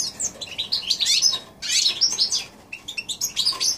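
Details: Goldfinch x canary hybrid, January 2016, singing dense twittering phrases with liquid trills and buzzy notes, broken by two short pauses.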